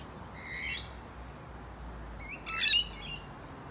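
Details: Rainbow lorikeet in Sydney, interrupted while eating from a bottlebrush at lunchtime, giving two harsh, grating screeches about two seconds apart, the second longer and more chattering, over a faint hiss.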